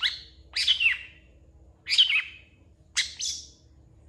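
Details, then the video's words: Long-tailed shrike giving harsh, descending scratchy notes, spaced about one second apart and repeated four times, with a faint steady low hum behind. "CENDET GACOR FULL ISIAN CEPAT DI RESPON PENTET LAIN"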